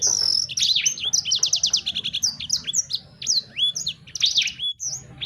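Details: Sanger bird singing a fast, varied song of high whistled slurs, sharp downward sweeps and short rattling trills, the notes packed closely together with barely a pause.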